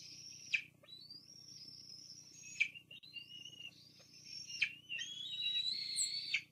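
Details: Nest-cam recording of bald eagles, Fraser Point, 24 June 2022, during a food drop by the female for her two grown young; shrill sustained whistles end in steep downward slurs about every two seconds, the last part overlapping with a second, chattering voice.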